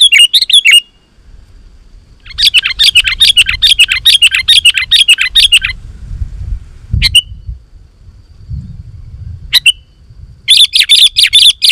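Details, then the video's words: Sooty-headed bulbul singing vigorously to call wild bulbuls: a short chattering burst, then a long fast run of dense twittering, a few isolated chirps, and a final rapid burst. "Suara Burung KUTILANG GACOR 100% Ampuh Untuk Suara Panggilan Kutilang Lain auto Emosi dan Gacor"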